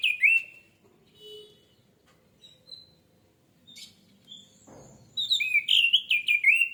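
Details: Orange-headed thrush song played to trigger singing: a loud whistled note at the start, long near-silence with faint scattered chirps and a dull thump, then a loud, fast run of varied whistled phrases.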